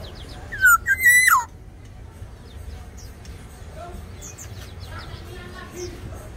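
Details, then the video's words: Tame Black-naped Oriole of Sumbawa in active song: one loud mellow whistled phrase, a downslur then a held note falling steeply, followed by softer chirps and twitters from other birds against a low hum. "Kepodang sumbawa jinak dan gacor"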